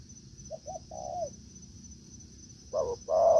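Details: Spotted dove in a forest, where a decoy bird taken out after a week meets a fine wild dove: a few short low coos, a pause, then two louder hollow coos, over a steady high thin whine.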